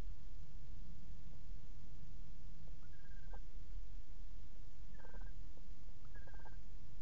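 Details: A barn owl pair, male and female, sitting together in a nest box on 13 December 2018, giving a few brief clusters of ticking, chittering pulses separated by pauses, over constant hiss.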